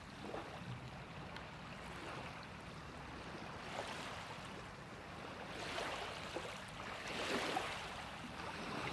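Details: Rushing wind and water noise that rises and falls, with no animal calls heard.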